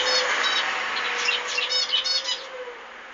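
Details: Zebra finch singing over a broad rushing noise: a string of stacked, nasal notes and buzzy phrases that grows clearer as the background fades toward the end.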